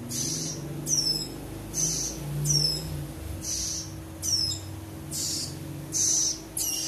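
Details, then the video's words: Young ciblek rowo (prinia) chicks give thin, very high chirps with quick downward flicks, repeated about once a second over a low steady hum; compared as a way to tell males from females. "Perbedaan Suara Piyik Ciblek Rowo"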